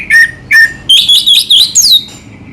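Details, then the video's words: Short 'selow' song phrase of an anis merah, or orange-headed thrush: two clear falling whistles, then five rapid higher buzzy whistled notes ending in a sharp downslurred note. "burung anis merah selow"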